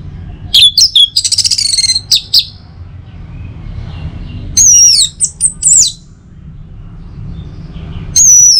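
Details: Orange-headed thrush singing in the morning to stimulate other birds: a fast rattle of harsh chirps and a buzzy trill, a quiet gap, then loud swooping whistled phrases and a final high whistle.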